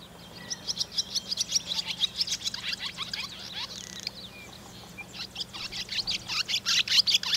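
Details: Barn swallow young in a nest above the entrance to a milking parlour, rainy day, Sony DV camera: a continuous, excited stream of shrill chirps about two to three per second, briefly easing before swelling louder again.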